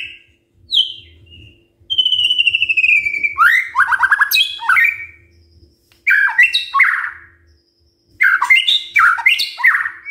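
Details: Shama morning song used to spur other shamas into singing: a clear descending whistle, then fast bursts of rapid repeated notes and harsh chatter in three bouts separated by short silences.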